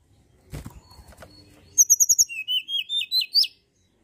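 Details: Mountain tailorbird used to lure other birds into singing: after rustling and a thump, a quick run of about a dozen high whistled notes, the later ones rising slightly.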